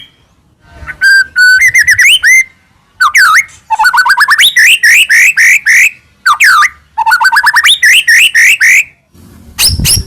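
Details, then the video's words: White-rumped shama kept in captivity, Medan variety, singing a full varied song to stir other shamas into singing: flowing phrases of looping whistles and quick upslurred notes in rapid series, ending with a harsh burst. "murai batu gacor AMPUH buat PANCINGAN murai batu agar bunyi"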